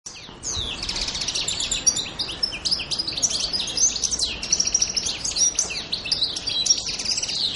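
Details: European goldfinch singing on Pantelleria island, Italy, on 2 January 2011: a fast, continuous twittering of high tinkling and buzzy notes, liquid and jumbled, with no pause for several seconds.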